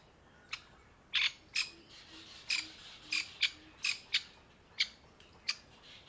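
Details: Grey francolin hen fretting over newborn chicks gathered around her in summer heat among dry leaves; a steady run of about a dozen short, scratchy, high notes, irregularly spaced.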